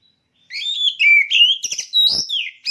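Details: A contest-ready caged oriental magpie-robin (kacer) opens after a short silence with clear whistled notes. A bright falling slur follows, then a quick series of sweeping, sharply inflected phrases mixed with brief rasping accents.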